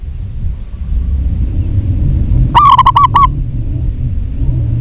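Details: One quick run of about six clipped coos from a local zebra dove, a female calling a male, over a constant low hum.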